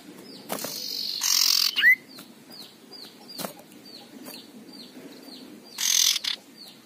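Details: Aggressive male common iora giving its harsh ngekrek call: rasping broadband bursts near one second and again near six seconds, with a sharp rising whistle between them, over a steady background of small repeated chirps.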